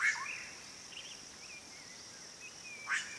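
Swallow-tailed Cotinga giving two short, sharp high notes about three seconds apart, with faint thin notes between over a steady high insect-like hiss.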